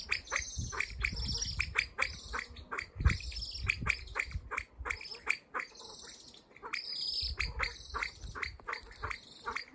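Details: Male common pheasant (Phasianus colchicus) giving a run of harsh, clipped clucking notes, about two a second, with short pauses, over low wind rumble.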